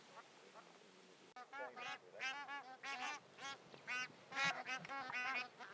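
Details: Bar-headed geese calling during migration in Pakistan, a group of birds trading loud, reedy honks in irregular bursts about twice a second, starting after a short quiet lead-in.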